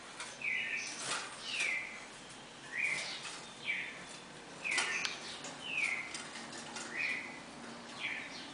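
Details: Red-crested cardinal pair with the classic four-note Bagé song: moderately soft downslurred whistles repeated about every second over steady background hiss, with occasional clicks.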